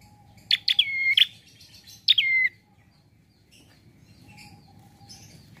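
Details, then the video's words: Relaxed prinia song used to lure birds for trapping: clipped chirps run into bright whistled notes that slide downward, given twice about a second and a half apart, then only soft background hum and faint distant chips. "Prenjak Bunyi Santaii Untuk Pancingan & Pikat"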